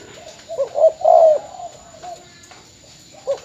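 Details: Decoy spotted dove from Ben Tre, Vietnam, caged and about to be sold: a short hoot and a drawn-out husky coo, then a quieter note and the next phrase starting at the end.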